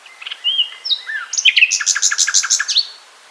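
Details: Nightingale singing a night concert: a few clear whistled notes, some sliding up and some down, lead into a fast run of loud, repeated pulsed notes lasting about a second and a half, ending on a falling whistle.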